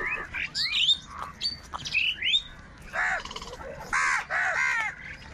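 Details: Crows fighting for food, calling loudly and angrily: after a few high squeaky sweeps from other birds, three harsh, nasal, hoarse caws follow in quick succession, each a short rasping burst.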